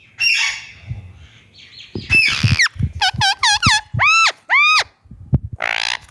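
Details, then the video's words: Tame Indian ringneck parakeet, a talking pet parrot, giving its natural voice: a run of loud, harsh, arched screeches repeated in quick bursts, with some rougher squawks before and after and soft knocking sounds between. "Ringneck parrot natural voice"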